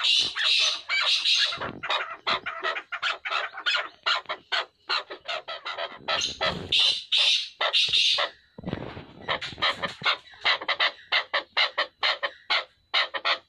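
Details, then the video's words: A pair of chukar partridges calling: dense runs of harsh, clucking notes repeated rapidly in bursts, several overlapping, with brief pauses between series. "Chakor Partridge Pair | چکور کا جوڑا"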